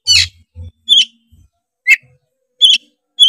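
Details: Oriental magpie-robin from Tretes used to spur other birds into song: five short, sharp, chirping bursts separated by gaps of about half a second to a second, high and clear against silence.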